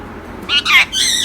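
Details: Tame male Indian ringneck parrot, an Urdu-speaking pet taught the greeting "Assalam alaikum", giving three raspy, voice-like harmonic syllables in a quick run, the last one longest, in a quiet room.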